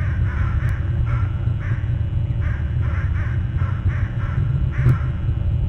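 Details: Crows stirred up near an eagle nest, recorded live: spaced harsh caws every half second or so, somewhat fainter, set against a strong steady low-frequency rumble.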